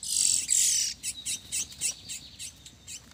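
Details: Lesser seed finch, described as a specialist bird, singing alongside a pardo: a bright buzzy high phrase opens, followed by a series of short clipped high notes repeated about every quarter second.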